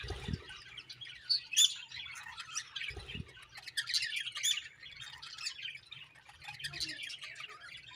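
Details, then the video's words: Budgerigars give steady high, scratchy chirping and warbling chatter with a few sharp squeaks, over a faint low hum and two brief thumps. "Beautiful Budgies Chirping Sounds"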